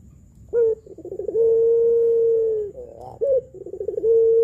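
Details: Lure recording of a pelung-style spotted dove for doves just learning to coo. A short note leads into stuttering trills and a very long sustained level coo, then the phrase begins again.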